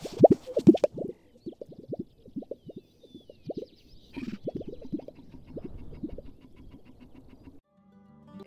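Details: Displaying male Gunnison sage-grouse at an early-spring lek in western Colorado, captured by an autonomous recorder: a rapid run of low, hollow popping plops, about two a second, with a faint whistle and soft background music.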